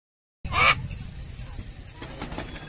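A single harsh, raspy squawk from a scarlet macaw, about a third of a second long, followed by low rumbling background noise like distant traffic.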